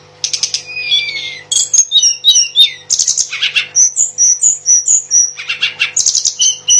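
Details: Mangrove blue flycatcher singing vigorously in the wild: loud, clear whistled phrases, some sliding down, others high and steady, mixed with quick bright trills and chirps, given in rapid succession with short gaps.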